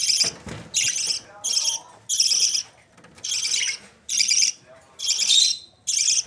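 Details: Raspy calls of budgerigar chicks in Pakistan, one harsh noisy burst after another at a fairly even pace, with a brief low thump near the start.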